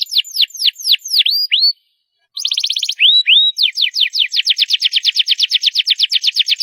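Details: A canary sings loudly, giving deep-swooping whistled notes and looping chirps, a short break, then a buzzy roll and a long series of quick descending slurs.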